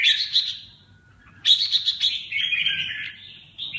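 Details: Red-whiskered bulbul song of loud, sharp whistled notes, a quiet gap, then a fast chattering burst easing into lower slurred warbles and a final short whistle.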